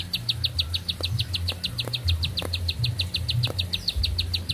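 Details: Quick train of high, sharp notes from a bar-winged prinia in unbroken song, evenly spaced, over a low rumbling background.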